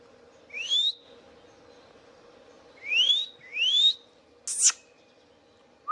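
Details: Pet Indian ringneck parakeet whistling softly: three upward-sliding whistles, the last two close together, followed by a sharp high squawk.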